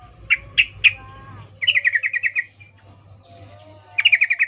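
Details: Female yellow-vented bulbul in breeding condition calling to a male, the 'ngecuplik' call: three sharp single chips, then two rapid runs of harsh chattering notes that fall slightly in pitch, with a faint hum.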